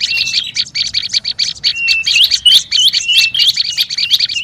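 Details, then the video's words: Excited olive-backed tailorbird calls from a lure recording: a quick series of sharp chirps, then a sustained flat whistle and looping, warbled notes over continued chatter. "SUARA PIKAT BURUNG PRENJAK LUMUT RIBUT PALING AMPUH"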